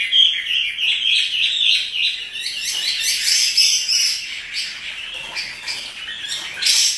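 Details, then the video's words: Caged Chinese hwamei in lively song, dancing as it sings: rapid repeated whistled notes, about three per second at first, then a rougher, busier stretch of chattering phrases. "Burung wambi (hwamei) gacor menari"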